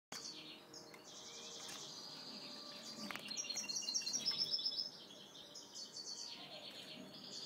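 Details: Four weaned juvenile European goldfinches, kept captive, giving high, thin twittering calls in overlapping bursts, with rapid buzzy trills around the middle; several birds call at once against a soft background hiss.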